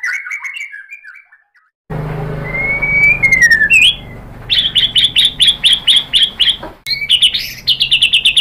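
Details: White-rumped shama singing as a lure to stir another bird to sing: a sliding whistled phrase, a clear rising whistle, then a fast series of sharp repeated high notes, briefly broken, over a soft background hum.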